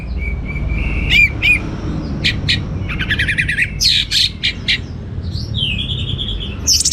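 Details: Orange-headed thrush in 'teler' song: a thin level whistle, then sharp chirps, dense buzzy bursts and a long wavering whistled phrase, with a low background hum throughout.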